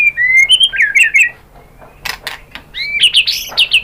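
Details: White-rumped shama lure song to get other shamas singing: rich whistled phrases with up-and-down slurs, a brief gap, harsh rasping notes, then fast bright warbling.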